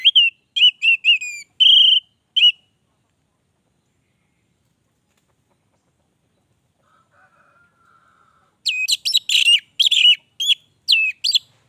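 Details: Bright whistled song phrases from an orange-headed thrush, delivered in a lively 'gacor' manner: a quick series of sharp notes, a long silence with a faint low hum, then a dense run of high, varied whistles and chips.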